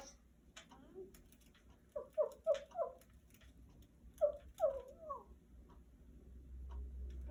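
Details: A 35-year-old female Congo African grey parrot, kept as a pet, talking while exploring: a quick run of about four voice-like, mid-pitched syllables, a pause, then three or four more, over a low steady background hum.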